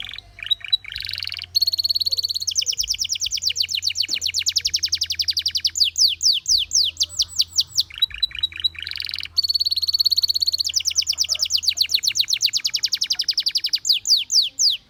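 A Gloster canary sings long, rapid trilled phrases, high and bright, with buzzy rolls and sweeping whistled notes, pausing briefly between bursts.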